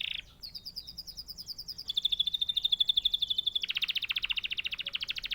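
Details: Canary chirping naturally, opening with a quick trill, then a long even rattle of rapid notes at steady pitch, followed by a louder, denser buzzy trill held to the end.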